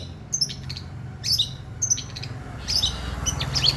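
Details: Competition long-tailed shrike giving sparse mimicked stork-billed kingfisher notes: short high squeaky chirps in small clusters about once a second, with a low droning hum beneath.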